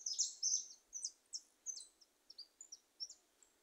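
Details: Free-flying wild goldfinches singing in a small scrubby woodland: a quick run of very high, bright twittering and sliding chirps, fading into spaced short notes, with faint background hiss.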